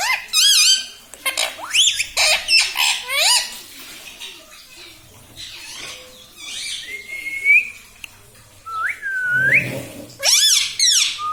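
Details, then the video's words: Talking pet parrot, said to say mummy, papa and radhe radhe; bursts of rapid, bouncing voice-like syllables open and close, with clear drawn-out whistled rising notes between them. "talking parrot mummy papa"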